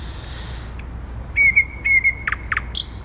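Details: Thrush nightingale in Warsaw city centre, 12 May 2020: soft high whistles, then a level whistled phrase with short accents, two deep plunging notes and high clipped notes at the end.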